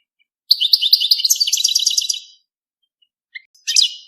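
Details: A European goldfinch sings for mating: about two seconds of fast, bright twittering with repeated tinkling notes, then silence and a couple of short sharp high notes.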